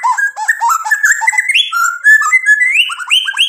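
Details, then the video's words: Dense white-rumped shama song made of quick rising whistled notes climbing in steps, chattering and continuous, with varied short phrases throughout. "MURAI BATU GACOR bikin EMOSI jadi NYAUT BUNYI AMPUH buat PANCINGAN biar BONGKAR ISIAN"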